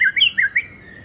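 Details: White-rumped shama singing in the afternoon, used as a lure: four quick, loud whistled notes swooping up and down within about half a second, then quiet.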